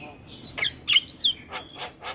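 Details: Javan myna in full song, head bobbing: looping whistled phrases that swoop up and down, followed by three short harsh bursts.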